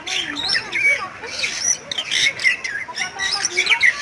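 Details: Bali myna, a starling found only in west Bali forests, in a dense stream of chattering song: wavering whistles, harsh squawks and quick slurred notes, loud and continuous throughout.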